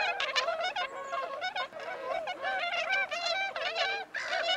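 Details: Bewick's swan calls: many overlapping, harmonic, honking and yelping notes from several birds at once, rising and falling in a dense, continuous chorus with short pauses throughout.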